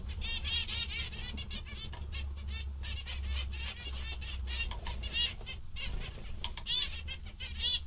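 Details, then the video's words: Lively zebra finches in good spirits, a dense run of nasal buzzy notes with harmonic stacks, rapid and overlapping, a few pauses, low droning hum beneath. "Mandarins bastante engraçados e contentes"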